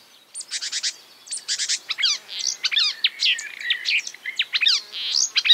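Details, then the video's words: Marsh warbler imitating other birds, starting with two fast buzzy rattles, then a rapid, varied jumble of twittering slurred notes, chirps and short trills delivered almost without a break. "A marsh warbler (Acrocephalus palustris) imitating other birds"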